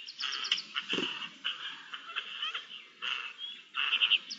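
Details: Eurasian jays, several birds recorded 10 May 2021, calling to each other: harsh, noisy rasping bursts at about one, three and nearly four seconds, linked by softer chattering and squeaky clicks.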